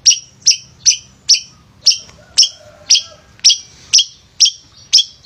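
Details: Male long-tailed shrike (pented), an active singer used as a provoking bird for lazy shrikes; sharp high two-toned chips repeated steadily about twice a second, with faint low background rumble.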